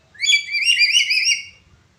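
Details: Black-capped lory with a cracked-sounding call used as a teaching recording for other birds: one loud, warbled whistle of roughly one and a quarter seconds, quavering and fading at the end, with faint low hum.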